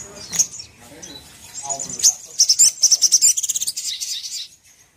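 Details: Ruby-cheeked sunbird sound for provoking a sogon into fury: scattered high ticks open, then an accelerating string of a dozen or so sharp, very high-pitched chirps that blur into a trill and fade.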